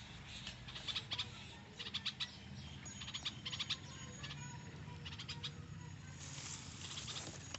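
A young bulbul gives quick clusters of sharp, high chips, a few notes at a time, every second or so, over a low background hum.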